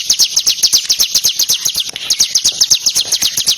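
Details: Ciblek kristal, the bar-winged prinia, in energetic ngebren delivery for training contest birds: rapid, piercing high notes at about four per second, each a quick slurred chip, with a slight wavering in the middle.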